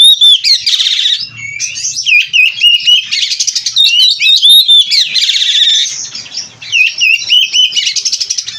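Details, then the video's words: Full 'gacor' song with 'isian' fills from a captive-bred oriental magpie-robin (kacer): repeated loud loops of curling whistles alternating with harsh buzzy trills, nearly nonstop, with a brief soft gap. "Burung Kacer Gacor Full isian"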